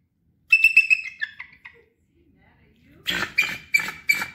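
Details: Sitka, a female captive Bald Eagle at a raptor center in Sitka, Alaska, gives a thin, high, piping chatter that tumbles downward, then a few harsher squealing notes about three per second.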